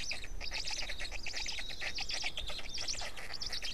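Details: Nest sounds at an Estonian black stork nest, 20 May 2018 early afternoon: the female has just arrived and feeds the chicks as the third hatches. Rapid harsh buzzy notes repeat several times a second, steady throughout, over background hiss.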